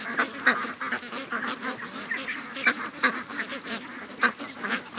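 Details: Large mixed flock of over 700 ducks and geese rushing to the lake in the morning, August 6th, 2015; dense overlapping nasal quacks and honks from many birds at once, rising and falling in a continuous busy chatter.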